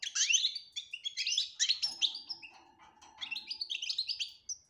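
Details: European goldfinch song in the betbta style with clear tasfia phrases: rapid twittering, buzzy notes and high whistled trills, with a faint low steady hum partway through.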